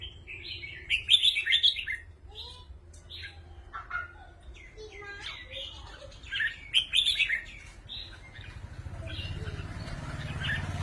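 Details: Red-whiskered bulbuls kept in cages trading songs back and forth: bubbly whistled phrases repeated in quick bursts, several birds overlapping, over a low background hum and a rising rumble near the end.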